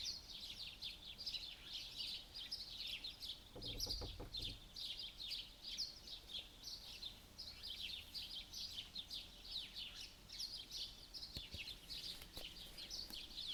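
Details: Birds singing during a June white night in Pechora, Komi: a continuous chorus of high, fast chirping and twittering phrases from several birds, with a brief low thump partway through.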